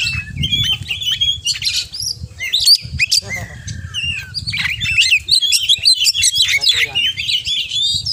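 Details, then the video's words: Singing kacer (oriental magpie-robin) with a full, mimic-laden song: warbling whistles, a drawn-out flat note, fast stuttering trills and squeaky chips, brief low background sounds mixed in. "Kacer Gacor Full Isian"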